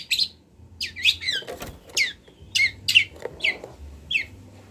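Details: Local Kendal long-tailed shrike, a caged bird in Indonesia used as training material, gives scattered harsh, downslurred high notes about every half second, with a few soft knocks and a low background hum.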